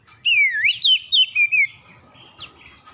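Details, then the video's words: Magpie-robin lure song to provoke other birds: a clear whistle dipping then rising, followed by several quick separated notes, then a fainter high note near the end. "DALAM HITUNGAN DETIK KACER LAIN LANGSUNG RESPON GACOR SEKALI PANCING"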